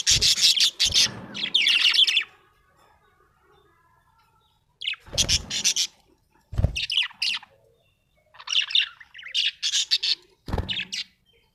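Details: Small parrot chirping in quick harsh bursts, bright and high, clustered in groups with pauses of a few seconds between them, a few sharp clicks mixed in.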